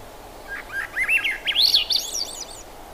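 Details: Thrush delivering a rapid, rising phrase of linked whistled notes, jumpy and fluttering, brightest midway through, with constant low outdoor noise beneath.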